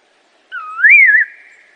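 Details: Assam laughingthrush song: a single clear whistled phrase, rising from a low start into a loud wavering peak and then trailing off in a fading echo-like tail; no other sounds heard.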